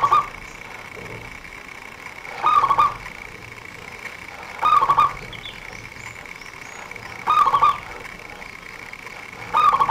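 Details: Zebra dove song used as a lure by bird trappers: short warbling cooing phrases repeated roughly every two and a half seconds over a steady hiss and a constant high tone.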